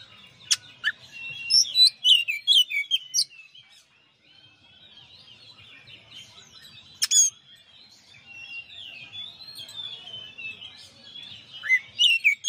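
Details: Varied song from a champion kacer, the Oriental magpie-robin, on a master song recording: scattered sharp clicks and whistled phrases, a quieter stretch of soft continuous warbling, then louder slurred notes resuming near the end.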